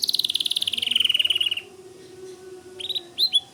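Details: Long rapid trill from a white canary, the repeated notes sliding lower midway, followed by quiet, then a few sharp upswept chirps.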